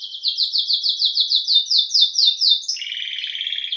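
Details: Domestic canary, a Belgian canary also called canário-do-reino, singing a fast series of repeated high downslurred notes, about eight per second, then switching to a lower, softer buzzing trill.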